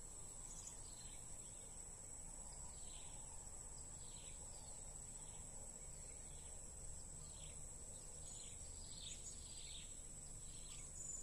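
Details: Blue-crowned hanging parrot heard during a bird-trapping lure session: high squeaky chirps repeated roughly every half second to second, each a brief downslurred note, against constant shrill cricket buzz and low hum.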